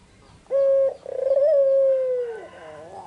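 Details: A white, red-eyed Barbary dove in the afternoon gives a steady low coo, then a longer, slightly rising and falling purring coo that trails off, with faint background hiss.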